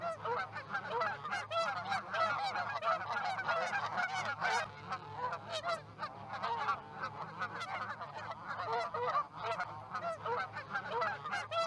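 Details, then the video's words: Many geese gathered in a field in Charlo, Montana, 9:40 am on 1 February 2018; long unbroken clamour of overlapping honks from the flock, steady in loudness, with a low background hum. "Geese Gathering near Charlo Osprey Roost"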